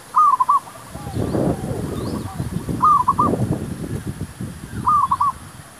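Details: Zebra dove singing during an attempt to lure wild doves for trapping: three bursts of quick, stuttering coos in a short rolling phrase, about two seconds apart, over heavy low rustling and handling noise.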